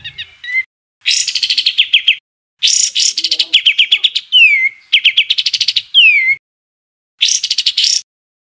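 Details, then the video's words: Rough 'tembakan kasar' bird song, edited for training cage birds: repeated harsh, rattling phrases of fast notes, several ending in a sharp descending whistle, recurring roughly every one to two seconds with brief silences. "Tembakan Kasar Masteran Kompilasi Mewah Untuk Semua Jenis Burung Cucak ijo, Murai batu"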